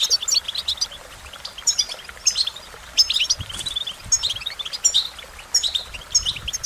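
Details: Goldfinch song delivered in short, separated bursts of high, thin twittering chirps roughly every second, with quieter gaps between phrases.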